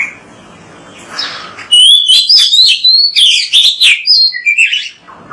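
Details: Oriental magpie-robin in bright song on a training recording meant to get magpie-robins singing. A quiet start leads into a loud, rapid string of wavering whistles and chirps that ends in lower, buzzy notes.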